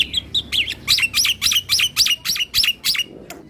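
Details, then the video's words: Javan pied starling, a white starling kept as a songbird, singing full and bobbing its head to provoke other starlings: a fast series of about ten sharp rising-falling whistled notes, evenly repeated over three seconds. "Kicauan Jalak Nusa / Jalak Putih Full Ngeroll Manggut - MAnggut Bikin Jalak lain Emosi"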